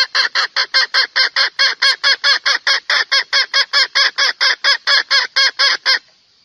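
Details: Junglefowl lure recording aimed at male birds: a long, even series of about twenty-eight rasping clucks, some four per second, ending abruptly in a faint fading tail.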